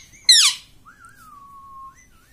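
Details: Pet parrot indoors, taught to say "mummy": one short, loud, harsh, harmonic note sweeping downward, followed by a long thin whistled tone that wavers and then slowly slides lower.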